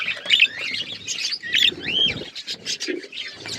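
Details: Budgerigars in a colourful breeding group with chicks growing chatter busily; one clear, arched whistled chirp stands out in the middle, and a soft low knock follows.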